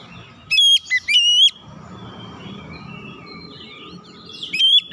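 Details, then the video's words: Oriental magpie-robin song used as a lure to draw other birds into singing: two loud, clear whistled phrases early on, slurring up and down with a sharp ringing quality, then another burst near the end over soft chatter and low rumbling background noise. "kicauan Kacer pemikat"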